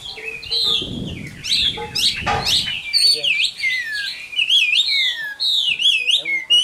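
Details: Chinese hwamei, a caged mature bird taken from the wild, sings varied looping whistles and sliding notes over low rustling and muffled noise early on, then a steady run of wavering phrases.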